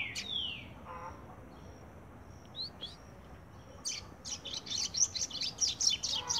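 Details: A young brown Double-collared Seedeater in song training sings an opening downslurred whistle, then a fast run of high, buzzy, scratchy notes repeated about twice a second.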